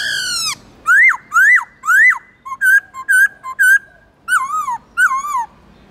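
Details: Varied whistled song of a captive black-throated laughingthrush in forest style. A falling note leads into three rising-falling slurs, then a run of short clipped whistles and two wavering descending phrases.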